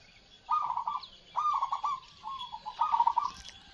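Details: Caged zebra doves (perkutut) in a morning session, with every bird calling, including those hung up above. Loud purring, trilled cooing phrases repeat about four times in under four seconds, each a rolling burst followed by a short pause.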